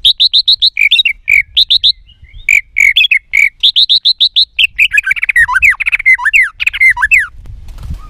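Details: White-rumped shama, female voice played to excite males; long runs of sharp, rapid chip notes with short pauses, followed by a tumbling burst of fast warbled, slurred whistles.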